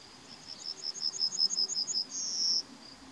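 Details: Yellowhammer song, May 2020: a fast, high rattle of about a dozen thin repeated notes ending in a longer drawn-out wheeze, over quiet background hiss.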